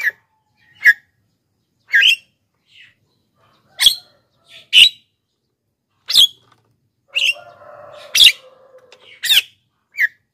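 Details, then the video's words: Black-winged myna recording for luring wild birds and training lazy singers: scratchy, clipped squawks at irregular intervals, with a faint whistled tone midway. "masteran JALAK KEBO super gacor,pancingan untuk bahan dan jalak yg malas bunyi"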